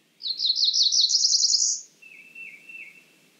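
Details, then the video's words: Cerulean warbler: a rapid run of buzzy notes climbing in pitch and speeding into a high trill, followed by a fainter, lower buzzy warble. "Cerulean warbler Calling."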